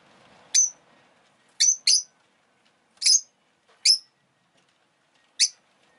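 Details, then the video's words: Rosy-faced lovebird at home calling with brief, bright, high-pitched chirps, single or doubled, six notes spread irregularly over six seconds. "Lovebird Chirping Sounds"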